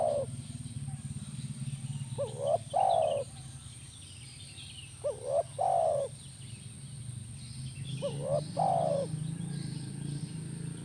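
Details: Spotted dove, recorded to make a caged spotted dove answer, repeats its phrase three times, each a pair of short rising notes then a long, falling coo, with a low droning hum growing louder in the background.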